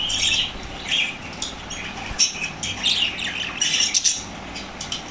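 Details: Lovebirds, said to become very active and energetic in reaction to lovebird sounds, give shrill, high chirps and squawks in short uneven bursts, with brief wing flutters between calls.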